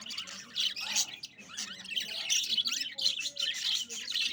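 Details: Colony of budgerigars chirping together in dense, overlapping high twittering and warbling notes, many birds calling at once without pause, with a low steady background hum.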